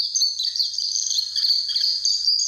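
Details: Warbling white-eye near Mount Fuji giving a continuous high, thin twittering warble with rapid pitch wiggles. The sound is steady and unbroken for the whole stretch, with a faint low hum underneath.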